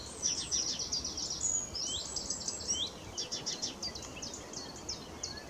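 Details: A Blyth's reed warbler sings at RSPB Middleton Lakes on 21 June 2021. It gives a steady, high run of varied whistles and dry notes, with phrases repeated several times, over a low background hiss.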